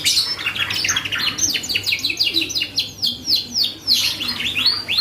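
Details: Canary singing intensely as a lure meant to draw responses from other birds: fast series of sweeping downslurred chirps, repeated in quick bursts, with a few louder notes near the end.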